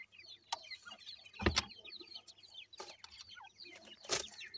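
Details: Several grey francolin chicks, locally called dakhni teetar, keep up rapid thin peeps, each a short upward or downward slide, broken by a few sharp, loud knocking or handling noises.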